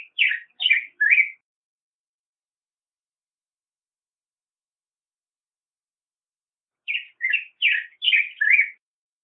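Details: Black-headed grosbeak singing two short phrases, each of four or five rich warbled notes sliding up and down, separated by about five seconds of silence.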